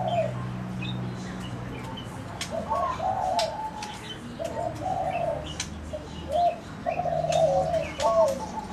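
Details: Zebra doves producing soft, bubbling trilled coos in repeated bursts, one phrase after another with short gaps, plus scattered thin chirps and a low background drone.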